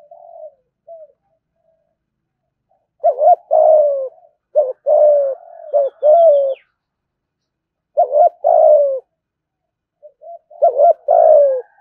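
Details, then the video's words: Ornamental cage spotted dove performing thúc gù coos. Around five phrases of stuttered double notes and long, falling, low coos come in irregular clusters, with a few soft isolated notes at the start. "cu gáy thúc gù"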